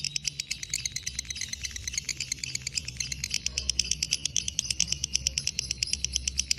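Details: Lovebird fighter in breeding condition giving long ngekek chattering: a fast, dense rattle of sharp clicks over a steady low hum.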